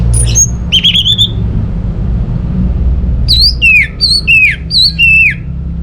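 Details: Orange-headed thrush, used as a lure to get idle birds at home singing: high thin whistles, a wavering whistle, a pause, then four loud slurred phrases that rise sharply and swoop downward.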